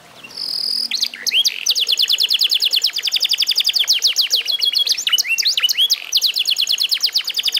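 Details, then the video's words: Eight-month-old F1SF canary singing after training with master song: a short high steady whistle opens, then a long rapid trill of descending sweeps, repeated several times a second, with occasional twisted, upturned notes. "REVIEW HASIL MEMASTER BURUNG KENARI F1SF UMUR 8 BULAN"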